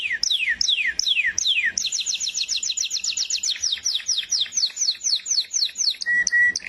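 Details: Canary singing: a few sweeping descending whistles, then a quick rattling trill, followed by repeated falling slurred notes and two short flat whistles near the end.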